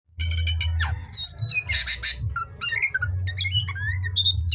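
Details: Oriental magpie-robin singing vigorously at night: sharp whistled slurs, a rising swoop, harsh buzzy bursts and high thin notes in quick variety, over a steady low hum.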